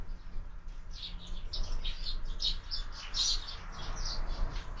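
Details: A run of rapid, high, clipped chirps from sparrows gathered at a window-mounted feeder in the morning, notes tumbling over one another against a low hum.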